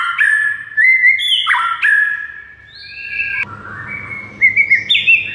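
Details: White-rumped shama master song meant to excite silent shamas into singing: sustained flute-like whistles held at steady pitches, stepping up and down, with a quick trill near the end and a low background hum.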